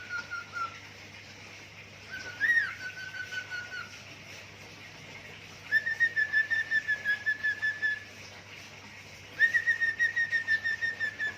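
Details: Pet budgerigar that likes to sing, imitating zebra dove and gecko sounds: a short descending whistle, a sharp upswept note, then two runs of rapid pulsed whistles, about a dozen beats each, over a steady low hum.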